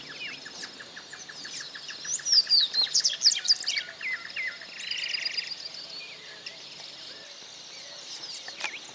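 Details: White-barred piculet (Picumnus cirratus) giving high, thin, squeaky notes that tumble downward in a quick series, over a steady insect hum and faint ticking.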